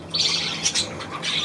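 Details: Budgerigars, 9 February 2024: a brief burst of high scratchy chirps and a sharper squeak in the middle, over faint background chatter.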